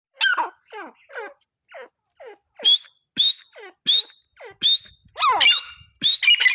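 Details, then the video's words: Grey francolin, also called partridge or teetar, giving a run of loud notes: short downslurred whistles alternating with sharp rising whistled notes, roughly one per second, building in strength toward the end. "Partridge birds sounds | grey francolin voice | teetar sounds"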